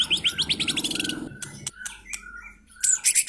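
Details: White-rumped shama singing: a fast run of rising whistled notes repeated about four per second, then a pause with a few sharp clicks and short tones, ending in a high, bright flourish.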